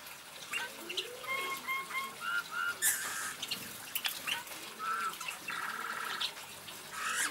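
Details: Eurasian bullfinch song: short soft whistled notes, some flat and some gently rising or falling, given in small groups amid a wash of crackling, splashing noise and scattered bursts of hiss.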